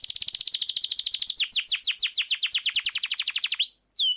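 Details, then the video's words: Canary song meant to coax silent canaries into song, American Singer type: very rapid rattling trill of high notes slowing into a series of clear descending whistles, closing with rising and falling drawn-out whistles. "Suara burung kenari gacor cocok buat pancingan kenari macet langsung gacor"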